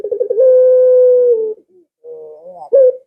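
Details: Barbary dove calling to lure pet doves into replying: a quick rolling flutter opening into a drawn-out level hoot that sags at the end, then a low soft coo rising into a sharp flicked note.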